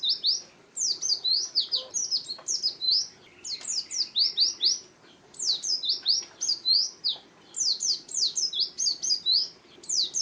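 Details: Continuous twittering of an Oriental white-eye, kept for luring birds and tutoring other songbirds: quick, very high sliding chirps strung in dense bursts of several notes, separated by short gaps.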